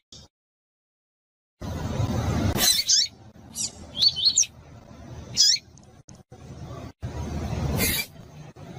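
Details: Female Double-collared seedeater (Sporophila caerulescens) giving short, high, thin chirps at irregular intervals, broken by loud rushing bursts of noise; used to stimulate a male to sing.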